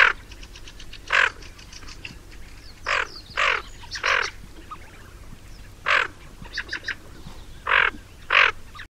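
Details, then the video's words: Tufted Duck (Aythya fuligula) giving harsh, rasping growls in irregular bursts, about seven over nine seconds, with faint quick clicking notes between them. "Tufted duck (Aythya fuligula) Negrinha"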